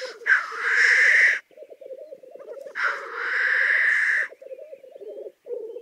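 Black grouse: a steady, low, dove-like bubbling runs throughout, broken twice by loud, harsh hissing 'whoosh' sneezes lasting over a second each.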